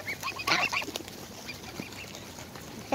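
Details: Greylag goslings, four of them, clamour for food near their parents; a brief burst of shrill, clustered peeps early on, then scattered softer squeaks over background rustle.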